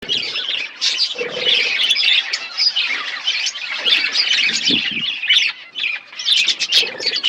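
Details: Budgerigars in a colony setup, many birds chirping together in a dense, continuous chatter of warbling and squawky notes that rise and fall without pause.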